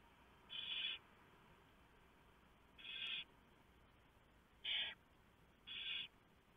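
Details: Barn owl nest in the early hours of 3 November 2015, owlets being fed after the male brings a big mouse; four breathy, grating hisses spaced one to two seconds apart over low hum.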